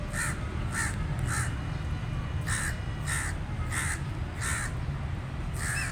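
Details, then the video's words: Crow giving a run of short, rasping caws, several in quick succession, then a pause and another evenly spaced series, against steady low-pitched background noise. "The Crow Cooing Sound Effect"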